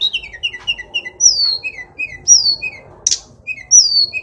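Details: Mountain sulingan, also called tledekan or sikatan cacing, a flycatcher kept as a songbird in Indonesia, singing in lively form: clear high whistled phrases that slur downward, repeated in bright bursts, with a faint background hiss.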